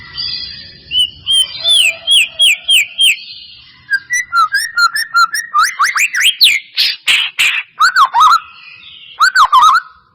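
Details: Lure song of the white-rumped shama to make a caged bird sing: repeated slurred whistles, a fast trilled run of short notes, then harsh bursts and looping whistles, with faint low background rumble.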